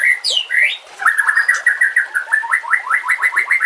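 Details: White-rumped shama singing a masteran phrase for training birds, with nature sounds and running water: two sweeping slurred whistles, then a long rapid series of repeated short notes at an even pitch, steadily pulsing.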